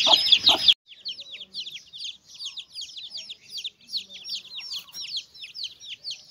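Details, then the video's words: Mother hen with chicks while eating: a brief loud burst of clucks and peeps, then softer, quick high chick cheeps repeating steadily for the rest of the recording. "Chickens and chicks eating sound"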